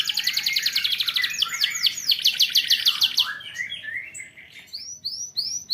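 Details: Young canary song used to prompt young birds to sing more, with a fast high trill and arching notes, then a lower warbling phrase and a few spaced, bright upward-curved chirps.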